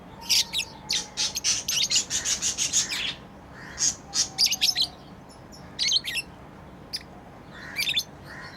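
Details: Pet lovebirds chirping during play: a rapid run of shrill, scratchy chirps for three seconds, then scattered short high squeaks after pauses.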